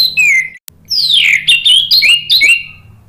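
Orange-headed thrush singing a fast run of rich, slurred whistles, with several sweeping downward notes and quick varied phrases, bright and loud over a quiet background.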